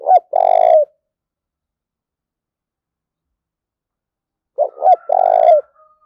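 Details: Two separate spotted dove coo phrases, used to provoke fighting, about four seconds apart. Each has low quick lead notes and a long, buzzy, rolling final note. A faint thin whistle follows the second phrase.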